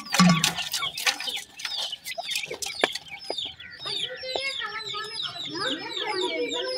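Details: Grey francolin (teetar) chicks with a new pair; a loud clucking start gives way to steady streams of thin falling peeps and a few longer wavering notes.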